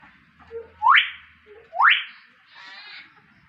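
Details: Common hill myna calling with two loud whistles sweeping steeply upward about a second apart, then a rough buzzy rasp, with a faint low hum underneath.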